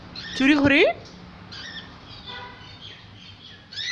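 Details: Small pet parrot trying to speak: one short, loud, rising voiced utterance near the start, followed by faint softer sounds and a brief murmur at the end.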